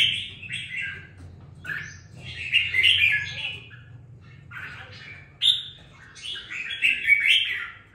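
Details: Red-whiskered bulbul held in a cage for two weeks sings energetically, giving dense, tumbling warbled phrases in longer runs separated by brief quiet stretches, with low background hum early on.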